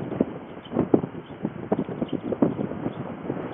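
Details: White storks from Ostrołęka, Poland, full of energy after a bath; dry, percussive knocking sounds come in short irregular bursts, some quick and rattling, over steady wind noise.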